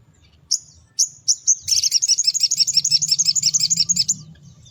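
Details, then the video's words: Morning song of a sogon pastol, played to lure small birds: a few thin high whistles, then a long rapid run of bright chirping notes over a faint low hum. "Sogon Pastol Gacor di Pagi Hari Untuk Pancingan Suara Pikat Burung Kecil"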